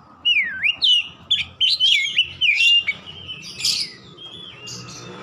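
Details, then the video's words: Oriental magpie-robin in ngeplong gacor song for training caged birds indoors: a dipping whistle, then strong varied slurred phrases in quick succession, fading into a rough rasp and soft notes. "AUTO NGEPLONG GACOR KACER ANDA DIRUMAH"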